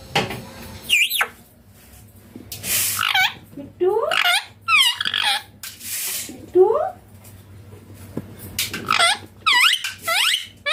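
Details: Indian ringneck parrot indoors makes loud scratchy screeches, quick upward-sweeping squeals and short chattering bursts, irregularly spaced, heard very close with a faint low hum behind.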